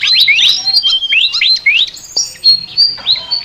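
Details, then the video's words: Flycatcher with an unusual chattering song: quick rising whistles, then a brief gap and a few long, level high whistles. "BURUNG SIKATAN NGOCEH TER UNIKK"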